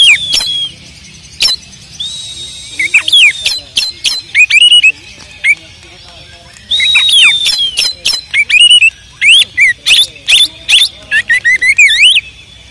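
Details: A caged oriental magpie-robin in Pemalang, Central Java, Indonesia sings a varied run of clear whistles mixed with sharp, harsh notes.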